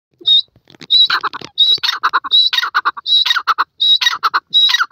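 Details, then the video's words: Partridge calling loudly in a rapid repeated phrase: a clear high whistled note followed by a burst of harsh, clipped notes, the pattern returning roughly every three-quarters of a second with little background noise. "partridge birds voice"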